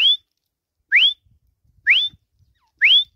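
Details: A captive grey francolin calling from a swing perch gives four clear, rising whistled notes, each sweeping sharply upward, about one per second. Faint low thumps sound between them.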